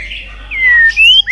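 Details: White-rumped shama provoked into fighting song: a few clear whistled notes, one long gliding whistle falling slightly then a rising whistle, loud and pure, with a short sharp note at the end.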